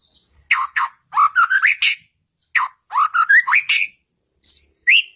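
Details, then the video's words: White-rumped shama singing as a lure for caged birds. Groups of short, rich, rising mid-pitched whistles come in bursts separated by pauses, ending with two higher notes. "Suara Burung Murai Batu, Pancingan Burung Murai Batu Gacor, Ampuh Rangsangan Cepat Nyaut"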